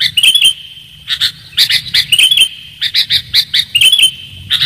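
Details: Sooty-headed bulbul in a lure recording used for trapping, noted for its clear voice: rapid bright chirps in clusters roughly every half second to second, lively and bubbling, with a constant thin high-pitched hum beneath.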